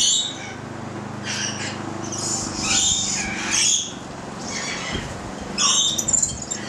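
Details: While eating bread on 25 April 2014, a Stella's lorikeet utters raspy high screeches and shorter chirps in irregular bursts, over a faint steady hum.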